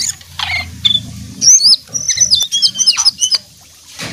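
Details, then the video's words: Brown jongkangan in full song: a rapid twittering run of high, sharp, sliding notes in quick succession after soft opening chips, ending in quiet; a low rumble underneath. "jongkangan coklat gacor"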